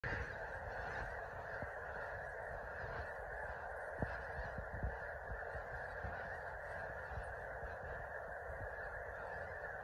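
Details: Geese at Yolo Bypass: a dense, unbroken din of honking from a large flock fills the whole stretch. A few sharper honks stand out around the fourth and fifth seconds.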